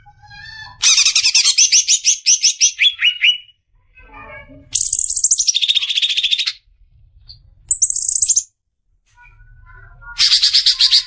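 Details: Greater green leafbird, cucak ijo, in besetan song used as masteran for tutoring kept birds. Varied loud bursts: stuttering high chips, a long falling, fast-trilled rattle, a short whistled note, then more rapid chattering.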